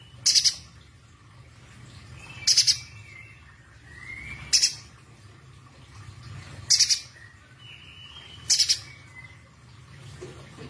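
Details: Streaky-breasted spiderhunter (Arachnothera affinis) song, a very sharp, loud voice: five sharp, very high chattering bursts about every two seconds, with thin drawn-out whistles sliding between them.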